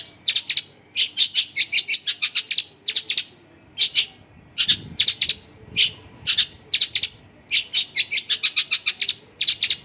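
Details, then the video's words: Song of a Mongolian lark filled with local birds' phrases: quick bursts of crisp, clicking chips in rapid runs, separated by short silent gaps. "Mongolian lark isian lokalan"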